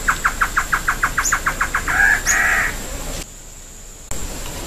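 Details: Great antshrike song: the close of a quick run of bouncing, evenly spaced notes, about a dozen, ending in a harsh rasping snarl, followed by abrupt quiet; a steady thin high whine persists behind.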